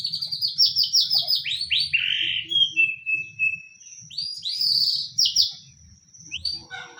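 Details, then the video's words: Lure song of a white-rumped shama, used to get any other shama to answer: loud high downslurred whistles in quick succession, a buzzy lower phrase, then more high sweeping notes after a brief pause. "pancingan murai pastol tarung murai apapun akan ikut bunyi"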